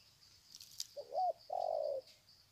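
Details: Ground-perched spotted dove at Sê San, 21 February 2020, cooing in greeting. A brief bent note is followed by a longer, even, hollow coo. A high insect drone runs steadily underneath.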